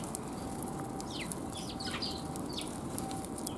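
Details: Several sparrows in a back alley, recorded on 28 January 2022: short, high, downward-slurred chirps scattered through the middle seconds over a steady low rumble of background noise.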